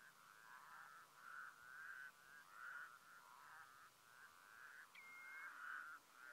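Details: White-naped crane recorded in Mongolia in 2015, giving a series of loud, wavering, trumpeting notes about half a second each, run together in a steady pulsing chain, with a brief thin whistle partway through.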